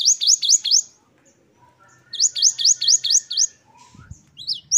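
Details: Great tit in energetic 'wucit-wucit' song: a short run of bright, rising high whistles, a brief pause, then a longer run of about six, ending in scattered notes, with a soft low knock near the end.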